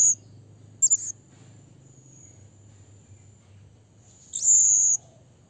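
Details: A blue-crowned hanging parrot calls to a rival with brief high squeaks early on, then a long piercing shriek after a quiet spell, over a soft low rumble.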